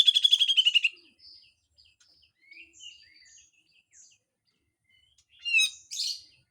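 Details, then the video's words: Cucak jenggot, or Grey-cheeked bulbul, in harsh full song with besetan phrases: a loud buzzy descending rasp opens, followed by soft scattered chips and two sharp harsh notes near the end. "MASTERAN CUCAK JENGGOT FULL KASAR DAN BESETAN"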